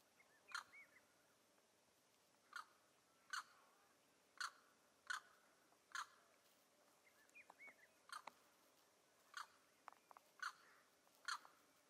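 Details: Neotropic cormorant (Nannopterum brasilianum) calling: short, harsh grunting croaks at an uneven pace, roughly one a second, with faint thin whistles from other birds behind.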